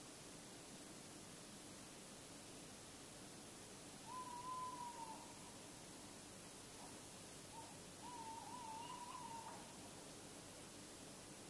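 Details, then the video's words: A tawny owl hoots at night in Bergen, Netherlands, 16 February 2016, around 3:43–3:48 a.m.: a long, low hoo, a pause of about three seconds, then a drawn-out, wavering hooo, over steady background hiss. "Bosuil roept in Nacht"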